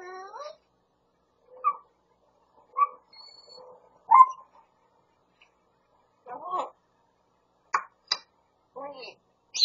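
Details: Talking Grey parrot in a California home copying a cat, a Pungsan dog and the husband's call "yeobo, yeobo"; a sliding meow-like wail, scattered short nasal syllables, then a sharp rasping phrase, clicks and squeaky whistles indoors.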